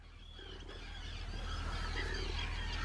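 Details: Arctic terns in a large breeding colony on Rottumerplaat, the Netherlands, 4 June 2023, hundreds of birds present; harsh overlapping calls build in loudness over a steady low rumble of wind or surf.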